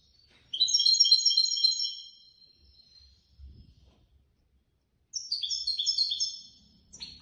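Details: Caged competition European goldfinch that won third place: bright twittering, trilled phrases of rapid high notes lasting over a second, a pause with faint knocks, then another similar twittering phrase.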